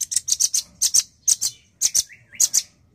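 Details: Male nuthatch in animated song: rapid bursts of bright, piercing chips in pairs and triplets, with a brief rising whistle near the end, repeated energetically over three seconds.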